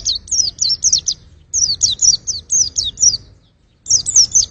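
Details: White-eye (pleci) song played to test birds' voices: rapid bursts of high, thin, twisting chirps, each burst of several quick notes, broken by short pauses and a silent gap near the end before a fresh burst.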